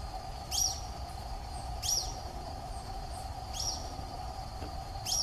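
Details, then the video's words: Social flycatcher, a wild bird in Brazil's Atlantic Forest; brief, piercing, high notes sweeping downward, given about every one and a half seconds against constant low background noise and a faint insect buzz. "BENTEVIZINHO de PENACHO VERMELHO (CHAMADO) SOCIAL FLYCATCHER MYIOZETETES SIMILIS"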